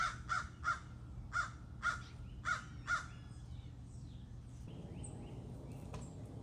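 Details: Four crows in a backyard give a run of harsh, agitated caws while chasing a hawk out of the area, with squirrels also sounding alarm.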